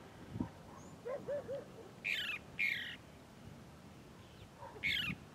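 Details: Chalk-browed mockingbird, known locally as sabiá do campo or papa sebo, singing in the Bahia sertão, Brazil: low hooting notes followed by harsh, buzzy descending phrases with pauses between them.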